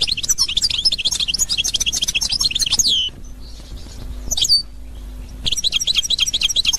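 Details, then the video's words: Authentic Constantine-style goldfinch song from Algeria, 2021: fast, jangling twitter of high notes, a brief pause with a few sliding whistles, then the rapid chattering resumes. A soft low hum runs beneath. "اجمل حسون قسنطيني الاصيل"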